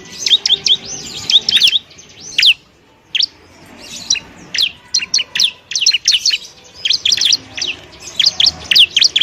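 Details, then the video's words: Bar-winged prinia (ciblek) song from a masteran recording meant for training other songbirds: rapid bursts of sharp, high chirps and downslurred whistles in quick clusters, with a short pause near the third second, then dense chirping resumes. "masteran burung ciblek"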